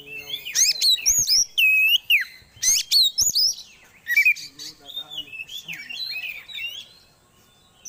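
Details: Oriental magpie-robin song played as a lure to bring birds quickly into breeding condition: loud, varied whistled phrases with sharp rising and falling slurs and rapid chirps, delivered in quick bursts and tapering into softer warbling.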